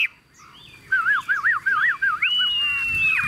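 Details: Chinese hwamei, caged and carried by hand: after a brief quiet, a rapid series of wavering whistled notes, then one long, slowly falling whistle.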